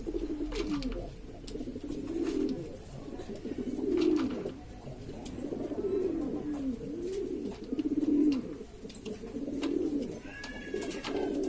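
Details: Assorted domestic pigeons from Lombok, Indonesia, making a racket together: rolling coos that rise and fall in long swells every few seconds, several birds overlapping, with faint clicks behind.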